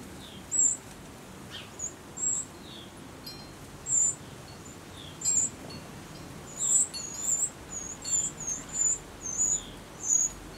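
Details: Eurasian wren nestlings in their last feedings before fledging: sharp, very high squeaks in irregular clusters, sparse at first, then rapid in the final seconds, with faint soft chirps between.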